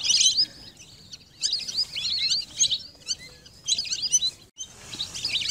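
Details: Lesser whistling duck calls: clustered bursts of shrill chirps and short whistles, each lasting about a second, with softer gaps and one brief silence between them.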